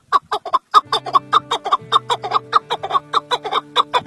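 A male Chukar partridge gives a fast run of harsh, clucking chuk notes, several per second, over steady low background music.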